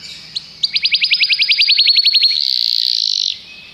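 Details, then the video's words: Common canary delivering a quick, regular trill of bright repeated notes that runs into a sustained buzzy, churring passage before stopping. "Canários cantam"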